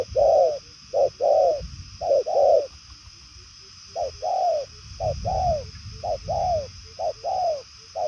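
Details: Purple-legged 'đồng son' spotted dove with far-carrying 'nước xa' cooing. Short and drawn-out falling coos come in pairs, with a pause near the middle, then the series resumes amid light low rumble.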